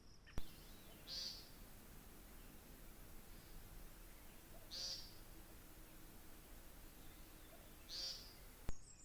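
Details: Male woodcock, heard only in spring, on a listening walk in June: three short, buzzy, nasal calls about three and a half seconds apart, over a steady low background rumble.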